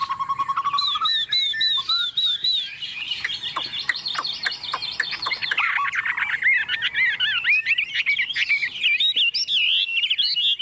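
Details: Hand-raised Chinese hwamei confidently singing on a table, delivering a dense, varied stream of whistles, trills and harsh chattering notes over a low steady background hum.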